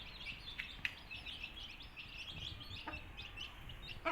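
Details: Young country chicks chirping busily, thin high peeps tumbling over one another, with a couple of sharp taps and a rustle at the end.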